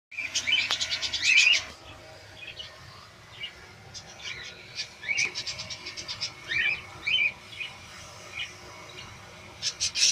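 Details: Budgerigars from the 2017 breeding season chatter in irregular flurries of quick, high, scratchy chirps and short trilled bursts, with a faint low hum underneath.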